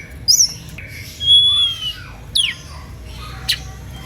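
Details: Oriental magpie-robin song said to provoke rival birds into answering: a sharp twisting note, then a long clear level whistle, a lower slur and a couple of quick downward sweeps with pauses between.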